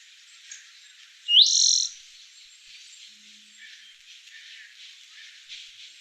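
Spotted Towhee gives one song: a sharp rising note, then a dry, buzzy trill lasting about half a second. Faint background hiss follows.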